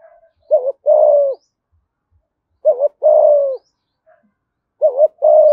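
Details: Spotted dove, Dong Nai, Vietnam, in the thúc gù calling style with a giọng thổ voice: evenly spaced coo phrases about every two seconds, each a quick wavering note followed by a longer, smooth, gently descending coo.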